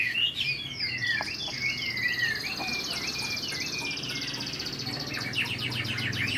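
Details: Old wild-caught Chinese hwamei kept in a cage, singing though not yet at full intensity but in good form: clear slurred whistles repeated in a rising-and-falling series, with buzzy rapid trills overhead and steady low background hum.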